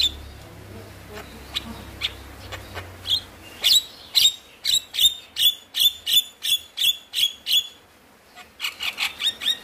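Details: A lure recording of Javan myna song meant to prompt reluctant mynas to sing: faint clicks building into a steady series of shrill, slurred chips, roughly three per second, pausing briefly before another quick run.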